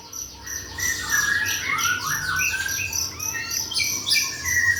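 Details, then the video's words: Singing hard after bathing, a white-rumped shama delivers a dense burst of high, sweeping whistled notes and fast twittering, with a faint insect drone in the background. "habis mandi gacor"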